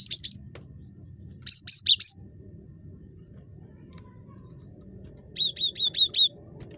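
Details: Cinereous tit (gelatik batu), very talkative, used as a lure to set off other birds' calls: three bursts of three to six high, crisp whistled notes spread across several seconds, with continuous low hum beneath.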